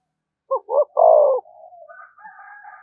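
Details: Decoy spotted dove calling to incite rivals to fight: two clipped notes then one long, falling, husky coo, trailing into faint higher, wavering tones.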